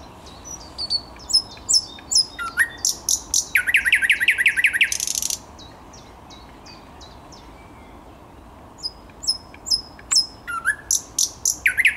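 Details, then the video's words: Thrush nightingale singing, 10 May 2021: high ticking and whistled notes lead into a long loud rattling series, silence for several seconds, then a new run of sharp whistles and clicks. "Słowik Szary"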